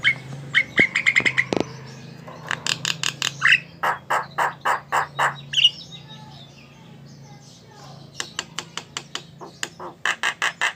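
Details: Javan myna, known locally as jalak kebo, singing energetically: bursts of harsh broadband clicks and chattering notes in rapid series, interspersed with short whistled squeals, over a low steady hum.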